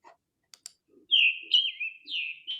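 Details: Scarlet tanager (Piranga olivacea) song: three or four hoarse, burry, robin-like phrases, slightly rising and falling, after a few sharp clicks.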